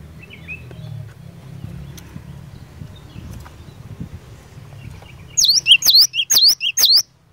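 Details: Cinereous tit song used to goad other birds into answering: after several seconds of low background rumble, four loud, evenly spaced V-shaped whistles ring out in quick succession.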